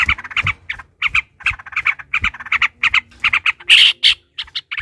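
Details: Fighting song of a yellow-vented bulbul, used as a lure to make other bulbuls sing: a steady, rapid string of harsh chattering notes, broken near the end by a loud, strained squeal.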